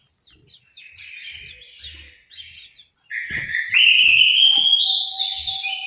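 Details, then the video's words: Orange-headed thrush singing in an aviary in Malang, East Java: short high chirped phrases, then a loud, sustained, rising whistled warble from about three seconds, with faint low knocks behind. "suara burung anis merah"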